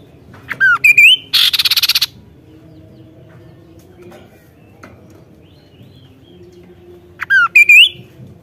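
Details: Kaso-kaso in loud song: a falling whistle and wavering rising whistles, then a dense buzzy burst with rapid pulses; after five seconds of quiet, the same whistled phrase returns.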